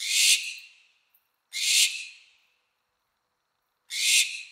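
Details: Barn owl mating sound: three hoarse, hissing screeches spaced about two seconds apart, each starting loud and fading away over roughly half a second. There is quiet between the screeches.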